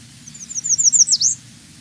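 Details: An American redstart, a wintering migrant warbler on St. John, Virgin Islands, gives a quick series of about eight very high, thin notes that grow louder, ending with a sharp downslurred note. A faint low hum sits underneath.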